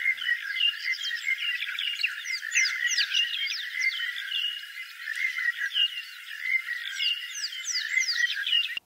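Monotonous Larks calling in a dense chorus, with quick chirpy, slurred whistles that drop in pitch, repeated and overlapping without a break.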